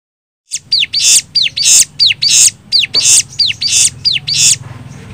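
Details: Bar-winged prinia singing as a lure to draw replies: a high whistled note swooping downward, then a harsh buzzy burst, the pair repeated about one and a half times a second.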